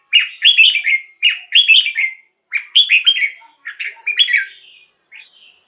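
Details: Song of a red-whiskered bulbul, used to rouse other birds or attract wild ones; clear, musical warbled phrases of rapid up-and-down whistles, repeated about once a second, ending with softer shorter notes.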